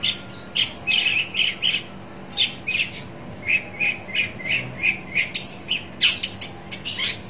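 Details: Long-tailed shrike seeking a rival, delivering a long series of evenly spaced rough chattering notes, about three per second, ending with sharper high clicks and squeaks.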